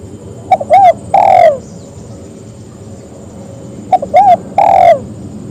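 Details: Spotted dove calling so others will answer, two phrases each of a quick note, a rounded coo and a long falling coo, separated by a quiet pause with steady low hum.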